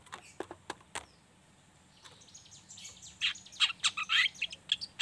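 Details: Juvenile speckled long-tailed shrike, a young bird singing a lively 'ngriwik' chatter, used as a lure to get other shrikes to sing. Sharp clicks open, then dense bursts of high, scratchy chirps and twitters in quick succession.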